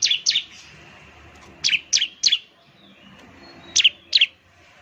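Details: Lure song of a ciblek, the Bar-winged Prinia, used to get other birds singing: sparse, bright chirps in pairs and triplets, separated by quiet gaps of about a second.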